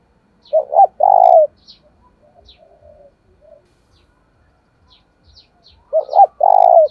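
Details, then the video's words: Spotted dove cooing in a thổ-style voice to provoke wild doves into fighting and lure them in. A loud three-part phrase opens, soft low coos follow, and the loud phrase of two short notes and a long rolling coo repeats at the end. "cu gáy thúc đấu/ bổi nghe là gáy, giọng hạp bổi, bổi rừng nghe là về cội"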